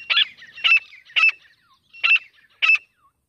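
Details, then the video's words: Grey francolin, a wild native partridge, calling loudly: five harsh, broad, screechy notes in an irregular series about half a second apart, each with a ringing tonal core, with faint softer notes between them in otherwise quiet surroundings. "जंगली देशी तीतर की आवाज।The sound of a wild native pheasant | partridge calling"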